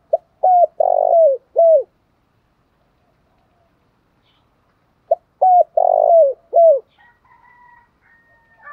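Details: Spotted dove song of the "thổ pha đồng" voice type. Two matching phrases about five seconds apart: short coos, a long rolled note, then a falling final coo. A faint crowing rooster is heard at the end.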